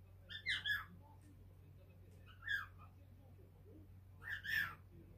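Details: Five-month-old pet cockatiel chatting at length while standing on a pale blue sand perch, giving bright harmonic chirping phrases in three bursts roughly every two seconds over a low steady indoor hum.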